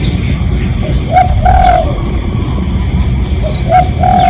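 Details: Spotted dove lure call, recorded for real to attract other doves: two short-then-long hollow coo phrases, around one and a half and four seconds, over background rumble with faint clicks.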